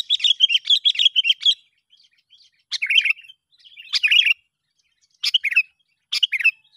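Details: Sooty-headed bulbul lure call used to draw other bulbuls in: a bubbly chattering burst of fast chirps, then four short rich gurgling phrases about a second apart, with silence between.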